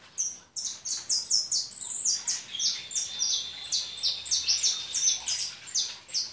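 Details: European goldfinch in continuous high twittering, with dense tinkling notes and a thin sustained whistle running underneath part of the phrase.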